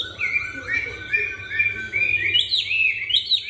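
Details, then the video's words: Chinese hwamei, caged and just arrived, rump-turning during song, with a supple voice: flowing whistled phrases that climb higher and grow louder toward the end. "Họa Mi "quay mông" hót mà giọng dẻo kẹo mới về hôm nay"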